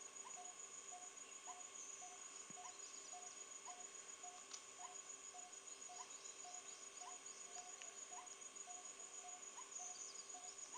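A Coppersmith barbet repeats a low, hollow 'tuk' about twice a second, steady and metronomic, over a constant high insect drone and faint hum.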